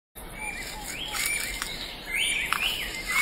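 Banded kingfisher giving thin, high whistled notes, some rising and some slurring down, in irregular bursts over a steady high insect hum.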